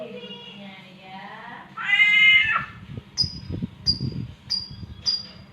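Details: Samyong myna mimicking a mating cat: a soft wavering meow swells into a loud, harsh yowl, then four short high chirps follow at about one-second intervals. Low thumps and a hum are heard underneath.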